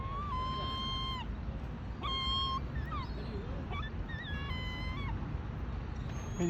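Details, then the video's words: Hungry gull screaming in Bournemouth: a long level mew, then shorter cries and quick falling and rising squeals, ending with another drawn-out cry; constant low background rumble. "Seagulls in Bournemouth"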